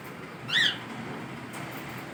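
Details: A pet cockatiel out of its cage gives a single short, ringing call with an arched, slightly rising-then-falling pitch.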